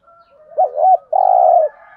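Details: Spotted dove kept as a lure for wild doves. Soft low cooing builds into a loud wavering double note, then one long, even, low coo.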